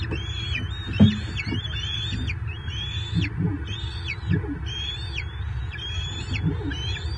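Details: Bald eagle calls at a nest in Southwest Florida, March 2023, during a catfish delivery. A steady series of high piping chirps slides upward, repeating roughly every half second over constant low droning noise, with occasional soft thumps.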